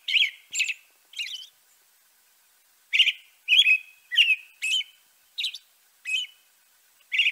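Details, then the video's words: European robin song made of quick, high, tumbling phrases: three in a cluster, a silent gap, then a lively run of short warbles and squeaks. "Bird Song - European Robin"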